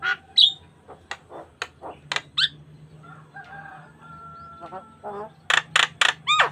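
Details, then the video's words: Javan myna song used to train other starlings, natural and unprocessed; bright whistles and chattering notes, a drawn-out level tone with a wavering underlayer midway, then loud harsh rasps and a hooked whistle at the end. "Pancingan Jalak Kebo Gacor Mompa Full Variasi - Masteran Suara Burung Jalak Kebo Full Isian Mewah"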